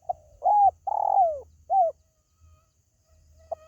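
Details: Spotted dove calling to lure pet birds at home: an arched coo, a long burry coo sliding lower, a short rounded coo, then quiet before one clipped note at the end.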